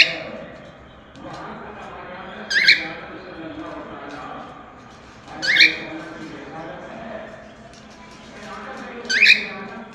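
A cockatiel gives short, bright whistled phrases, repeated roughly every three seconds.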